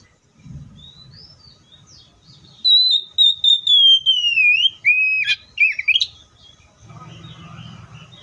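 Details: Oriental magpie-robin giving a chain of steady, clear whistled notes that sink lower, followed by sharp rising flourishes, with a low hum at the start and end.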